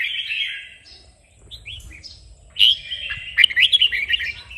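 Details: Red-whiskered bulbul song used to train and stimulate a kept bird to sing: a warbled, slurred phrase, a quiet gap with a few soft notes, then a louder burst of quick chirpy notes.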